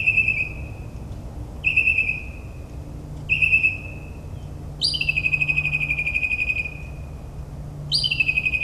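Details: Northern mockingbird singing in a New Jersey suburb at midnight, mimicking other species: three rich downslurred whistles about a second and a half apart, then a long buzzy, rapidly pulsed trill, then a further buzzy burst.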